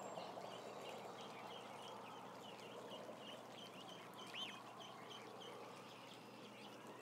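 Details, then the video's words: About a thousand ducklings gathered together give a steady chorus of thin, high peeps rising and falling, many overlapping over a constant low background hum. "1,000 Ducklings doing nothing cam"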